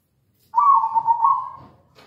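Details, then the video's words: Single rolling, tremulous coo phrase from a local zebra dove in strong voice, a lure recording meant to set other doves singing; the phrase starts loud and tapers off, ending in a faint click. "PANCINGAN PALING AMPUH PERKUTUT LOKAL GACOR"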